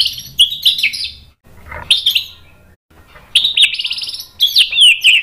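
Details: White-rumped shama singing agitatedly to provoke rival males: high, rapid trilled phrases in short bursts separated by brief pauses, with a lower rasping note in between.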